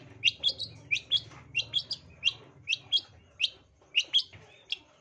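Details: Long-tailed shrike lure song meant to rouse a rival into fighting mood: evenly spaced sharp, high chirped notes, roughly two per second, each a quick bright rising-falling flick, over faint low background rumble.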